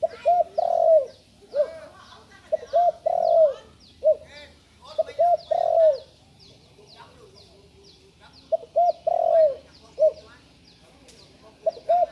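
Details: Novice young spotted dove repeats its cooing phrase four times over about twelve seconds. Short notes run into a long, falling coo, and faint high chirps are audible in the background.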